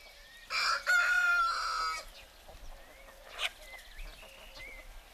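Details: Rooster crowing in the morning in Greek countryside among hens and turkeys: one loud, harmonic cock-a-doodle-doo lasting about one and a half seconds, followed by softer clucks and faint chirping of wild birds.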